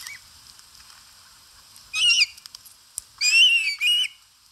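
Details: Live nest camera in Satakunta, Finland, 4 August 2022: an Osprey feeding at the nest gives one shrill whistled call, a short pause, then two more in quick succession, each sliding up and down.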